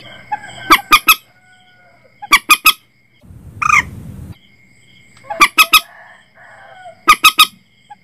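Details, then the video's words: Common Moorhen call, recorded for setting nets after dark: repeated groups of three strident notes, a louder rough rising squawk with broad noise in the middle, and some fainter lower chattering between groups. "suara burung mandar batu terbaru 2022 cocok untuk pasang jaring malam hari"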